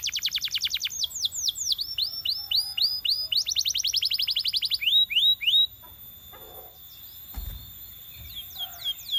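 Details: Belgian canary singing to encourage its companions, opening with fast downslurred trills and looping whistles for five seconds, then near quiet with a brief low thump and a thin high note.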